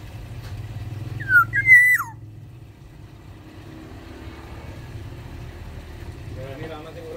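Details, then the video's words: Black-naped oriole from Sumbawa singing in an aviary: one loud fluty phrase, falling note then a held whistle ending in a downward swoop, followed by several seconds of traffic-like rumble and faint distant noise. "Keodang emas sumbawa di dalam aviary gacor"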